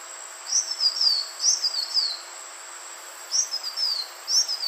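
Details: Green iora call used for luring birds: high, sweet whistled phrases of quick descending slurs, repeated in two series with a quiet gap of about one second between them, over a faint steady hiss.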